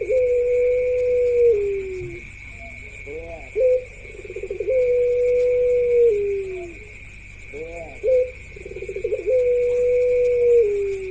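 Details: Ringneck doves cooing in a parade of several birds, one of them female: long level coos that sag at the end, each followed by a quick throaty trill and bubbling notes, repeating about every four seconds, with steady background hum.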